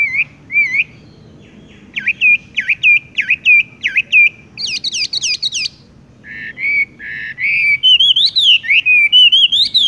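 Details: Horsfield's bush lark giving its 'tung roll gantung langsung ngerol' song: repeated hooked whistles, a burst of sharp downslurred notes, then looping whistles that grow louder and run together toward the end.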